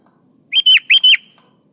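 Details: A sooty-headed bulbul in full, steady song, used to coax lazy birds into singing along. It gives a single crisp phrase of four clear whistled notes, each swooping up and then down, with a faint low hum behind.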